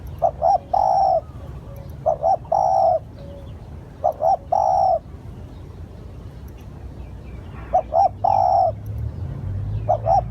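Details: Spotted dove lure call: a cooing phrase of two short low notes, then one long steady coo. The phrase repeats about five times over ten seconds at irregular gaps, with faint thin high notes above.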